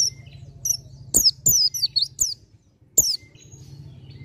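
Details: Dakun-type white-eye in 'ngalas' song: faint thin notes, then a rapid run of five loud, high, falling chirps, a pause and one more sharp twitter, with low hum behind.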